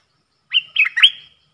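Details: Caged bulbul in a singing duel with wild birds, 3 October 2021. A single rich phrase of three slurred whistles, each with a held, ringing tail, the last note louder and rising.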